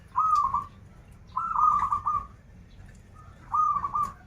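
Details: Local zebra dove from Banten, Indonesia, in krital-style song: three clear rolling trilled coos, each about a second long, repeated roughly every one and a half seconds against quiet background.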